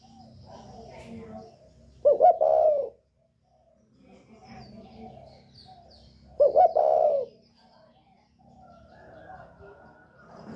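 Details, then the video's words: Spotted dove of the northern type, 'còi bokkeeping' style excluded; 'còi bổi ghét' voice used to provoke birds: two low cooing phrases about four seconds apart, each with a quick double note then a long coo, over steady low background noise. "Chim cu gáy giọng còi bổi ghét kích chim rất hiệu quả, cu gáy miền bắc"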